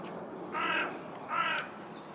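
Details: Carrion crow, Corvus corone corone, giving two harsh, rasping caws about 0.75 seconds apart over a faint steady background hiss, with thin high chirps from other small birds.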